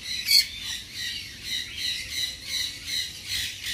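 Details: Tame-sized, ringed baby nanday conure in a Bangabazar market pet shop: one sharp loud squawk, then a run of quieter rasping calls.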